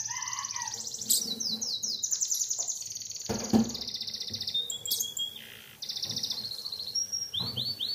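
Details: Canary morning song meant to spur other canaries into singing: a varied string of high rolling trills, sweeping slurs and rapid repeated notes with a short pause, some faint low background rumble.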